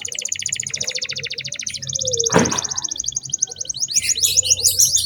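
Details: A lively canary delivers long, very fast high trills meant to prompt young canaries to sing; a brief broadband thump cuts through the middle, then the trilling resumes with scratchy higher notes.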